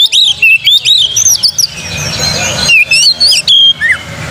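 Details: Oriental magpie-robin song meant to prompt singing, with rapid, clear whistled phrases that slide up and down, a noisier, scratchy stretch in the middle, then more bright whistles and a final falling note.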